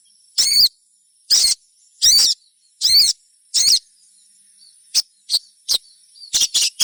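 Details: Crimson sunbird chirps and trills, played to prompt other sunbirds to sing: five loud, sharp, high chirp bursts about once a second, then a quieter run of brief clicks and quick chirps, over a faint steady high hiss.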